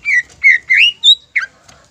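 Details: Greater green leafbird song used as a lure to stir other leafbirds to sing: four loud slurred whistles in quick succession, the last rising highest, then one falling note.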